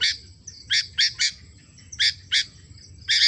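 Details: Sooty-headed bulbul in full voice: clipped, raspy high chirps in small clusters, including a quick trio of notes and a later pair, separated by short pauses, over a quiet low background.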